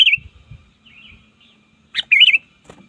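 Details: Sooty-headed bulbul used as a lure to call rivals in the wild: a short warbled phrase near the start, then after a quiet gap a louder bubbling, wavering whistled phrase around two seconds in, with faint low thumps below.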